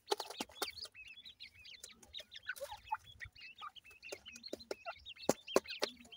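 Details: Grey francolin chicks being fed give thin, high peeping chirps, many short rising and falling notes overlapping in quick succession, broken by sharp loud clicks and taps.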